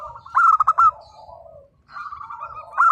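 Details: Local zebra dove singing eagerly, a song to draw replies from silent birds: a loud run of quick, ringing coo notes, a fading trill, then more cooing building to another loud start.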